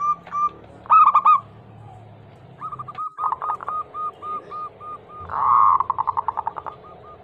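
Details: Local perkutut, or zebra dove, singing to coax other doves into song, described as a female calling for a male. A sharp coo burst, then a string of spaced cooing notes, a brief purring trill, and quickening coos.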